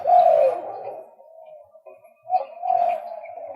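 A male White-breasted waterhen gives two low, hoarse, drawn-out phrases, loud at first, then fading, with the second rising again after a short pause.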